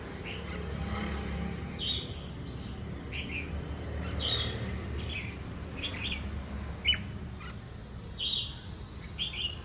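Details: Red-whiskered bulbul, wild-caught and keen to sing, repeats short bright whistled phrases roughly every one to two seconds, some with a sharp high note, over steady low-pitched hum.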